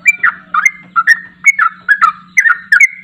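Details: Yellow-vented bulbul in lively ropel-style song, played to coax a reluctant bird into answering: bubbling, warbled phrases of two or three liquid notes, repeated about every half second, over a faint steady electrical hum.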